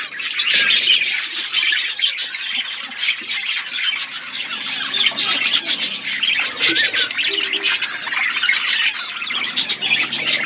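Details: Several budgerigars in a natural outdoor aviary, eating seeds; continuous chattering warble of many birds, rapid scratchy notes and chirps layered together, with faint low rustling beneath.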